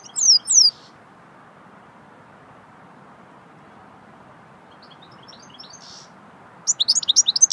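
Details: Goldfinch singing the swittey style of song: a short burst of high, thin, sliding twittered notes at the start, a long near-silent gap with faint distant twitters, then a rapid run of sharp high notes at the end.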